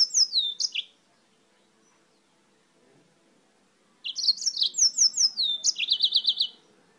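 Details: Yellow-fronted canary (Mozambique canary) from Spain singing a great deal: two bursts of bright, high twittering song with descending whistled slurs and a rapid trilled run, separated by a quiet pause of about three seconds.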